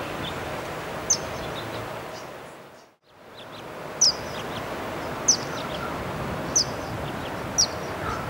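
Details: Verdin recorded in March 2015 at Barstow Community College, Barstow, California: sharp, very high, short chip notes, five in all, spaced about one to one and a half seconds apart over soft outdoor background noise.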